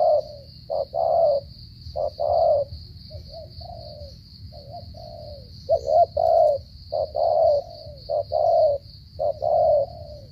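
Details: Spotted dove from Cà Mau, Vietnam, stuttering 'gù cà lăm' coo: strong low coos in uneven bursts, short clipped notes mixed with longer falling ones, with quieter gaps and a constant high tone.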